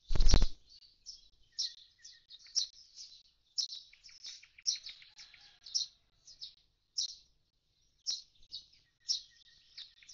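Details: At a nest box left empty once the young fledged, a common starling gives a steady stream of high clicking chirps with brief buzzy rattles, after an opening knock.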